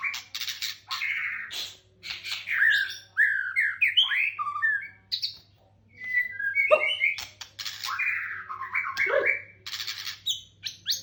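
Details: Lure song of a white-rumped shama used to get captive birds singing: varied whistled and chattering phrases separated by short pauses, with some sharp clicks. A steady low hum sits in the background.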